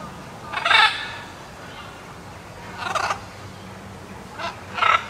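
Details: Blue-and-yellow macaw (Ara ararauna) or an Ara hybrid at Wuppertal Zoo gives four harsh, raspy squawks at uneven intervals, the first and last loudest, over a low steady background hum.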